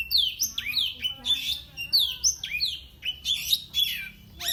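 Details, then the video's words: Oriental magpie-robin, a caged contest bird, sings to rile its rivals with a rapid run of clear rising whistles, downslurred notes and harsh buzzy bursts that are repeated almost without pause. "Kicauannya bikin musuh makin Emosi."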